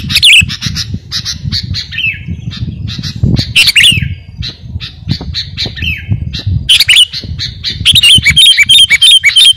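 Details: Sooty-headed bulbul in lively full song, used as a master recording for training and luring birds: rapid bursts of bright chattering and squawky notes, roughly three per second, with a low rumbling background.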